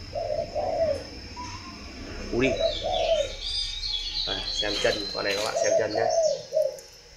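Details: Spotted dove giving low, soft coo phrases at the start and end, with people talking, clapping and brief high chirps in between.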